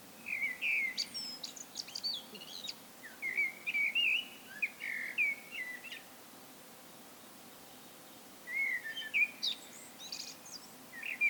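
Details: Solo song of a common blackbird, phrases of fluty whistled notes around the middle pitch with higher twittering endings, delivered in bursts at about one, three to five and nine seconds, pauses between, faint steady background hum.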